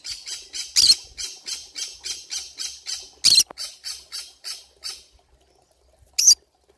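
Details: Pineapple conure found in a forest, giving a run of about thirteen harsh, raspy squawks at roughly three per second that fade off, then two louder, sharper screeches after a brief pause.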